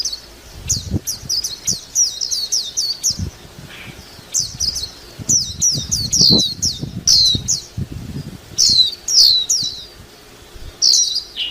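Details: Warbling white-eye singing rapid high twittering phrases of thin, downward-slurred notes, partly overlaid by low rustling and fluttering thumps.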